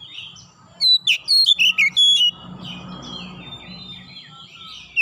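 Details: Kacer (Oriental magpie-robin) calling in a single rapid burst of strong whistled notes and slurs, then quieter warbling over a wash of background noise, ending with one sharp note.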